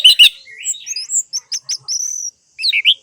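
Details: Orange-headed thrush song, played to encourage silent birds: rich, varied phrase of high whistled slurs, short chips and a sustained thin note, ending in rising and falling warbles.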